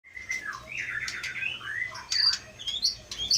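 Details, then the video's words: Caged white-rumped shama of the Aceh Leuser type, caught wild in forest as a young bird in 2016 and noted for mimicking surrounding sounds, delivers a fast varied song of sliding whistles, short buzzy notes and high sharp chips. "Murai batu aceh leuser"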